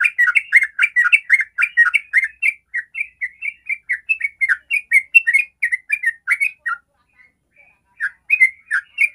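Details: Yellow-vented bulbul singing its fast 'ropel' lure song to get other bulbuls singing: a dense run of bubbling, slurred notes that thins into a few scattered phrases after a brief pause.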